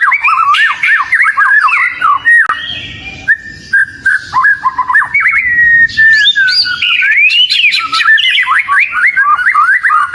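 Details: Caged oriental magpie-robin with a long energetic song of rapid chirps and slurred whistles, repeated at about three to four notes per second, including a held level whistle and fast twittering runs.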